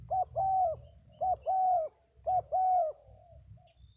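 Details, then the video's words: Vietnamese spotted dove cooing in three phrases, each a short clipped note followed by a longer, smoothly falling coo, repeated about once a second, with a low rumbling background. "Cu gáy 67 : Hai Bổi Thổ"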